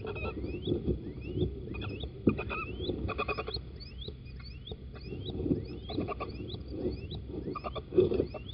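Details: Little owls, male and female, sitting inside a nest box at Holten, 4 March 2020, morning; many overlapping thin rising squeaks in quick succession with short raspy bursts and low background rumble.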